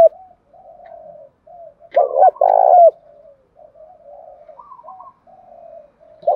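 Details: Spotted dove cooing as a lure to attract and provoke rival doves: soft, low, hollow coos in short phrases, broken by two louder, fuller coos near the middle, then quieter cooing again.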